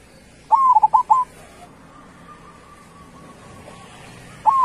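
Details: Local zebra dove singing loudly: one full cooing phrase, a rising note then three fast clipped coos, followed after a pause by the start of the next phrase.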